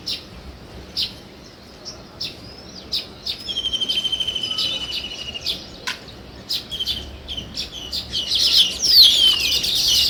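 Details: Chirping sparrow giving scattered sharp high notes and a short pulsed trill, the calls growing denser and louder toward the end.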